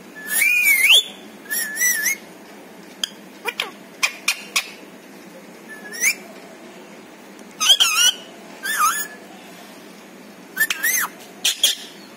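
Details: Talking pet parrot, whose stated words include papa, mummy and meow; high whistled, speech-like syllables with rising and falling tones, scattered clicks, in groups across the recording, indoors.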